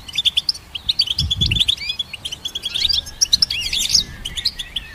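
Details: Bright, jingling goldfinch song, a continuous chatter of very high short notes with twangy bends and a buzzy flourish near the end, over a quiet low thump.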